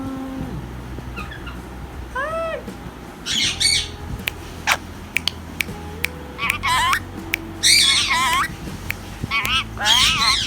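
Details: A tame ring-necked parakeet talking in Urdu/Hindi: short squawky, speech-like phrases and a few rising whistled notes come in bursts, while steady low music-like tones sound in the background.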